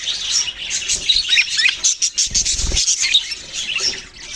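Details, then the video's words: A flock of budgerigars, the Australian parrot, pours out rapid high chirps and rising squeaky warbles. A low thumping noise is heard briefly midway. "Birds chirping sounds Beautiful Australian parrots"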